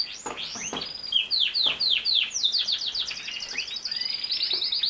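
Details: Canary in full song, a fast string of sweeping whistled notes and rolling trills, shifting between phrases with barely a pause, over faint background hiss.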